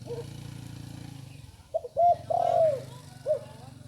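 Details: Young spotted dove still learning its call. A low droning hum fades, then comes a single phrase: two short coos, a longer drawn coo sliding down, and a brief final note.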